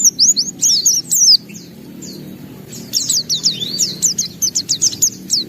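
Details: White-eye singing with open beak, unloading its varied phrases: a burst of high slurred chirps, a short pause, then rapid repeated downward-sweeping whistles and one longer rising note.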